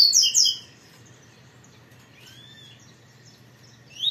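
A double-collared seedeater gives a burst of bright, high chirping notes, then a thin slurred whistle, then another sharp note; a faint low hum underneath.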